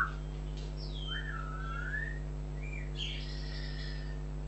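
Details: African grey parrot kept as a pet, giving a series of clear whistled glides, some sweeping downward and one long level note, followed by a brighter rising chirp, with a constant low hum in the room.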